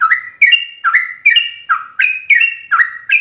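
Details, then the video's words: Sooty-headed bulbul in full 'ropel' song, a master recording for captive birds: short bright chirps in twos, a high flat whistle dropping to a lower warbled slur, repeated briskly every half second. "Ropelan trucuk gacor full isian"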